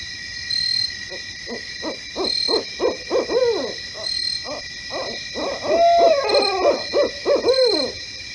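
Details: Wild barred owl calling at night in a residential area of Poughkeepsie, New York, in autumn 2018. It gives rapid bursts of low hoots mixed with wavering, cackling notes, with a constant high droning hum in the background.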